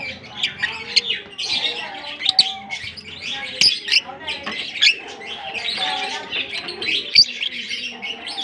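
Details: African lovebirds calling as a colony: continuous high twittering and shrill chirps from many birds at once, punctuated by brief sharp clicks and squeaks, faint hum underneath.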